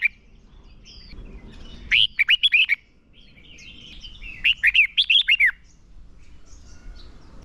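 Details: Red-whiskered bulbul decoy bird giving a fighting song to draw and excite other bulbuls; two phrases of rapid loud, looping whistles about two seconds apart, with soft distant chirps between.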